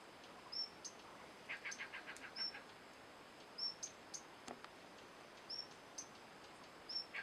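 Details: Male slaty-blue flycatcher at Manas National Park, Assam, giving thin, very high chips at irregular intervals, roughly one a second, with a brief run of lower warbled notes and soft background hiss.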